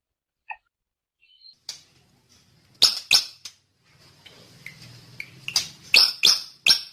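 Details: Quiet start with a few soft, thin whistles from the drongo, then loud, sharp chirps in pairs and short runs, with faint low background rumble between them.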